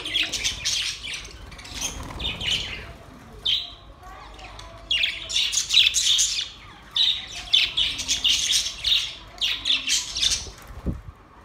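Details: Happy pet budgerigars flying in a cage keep up a busy high chattering warble, loud bursts of chirps and squeaks broken by short pauses, with a faint voice briefly audible.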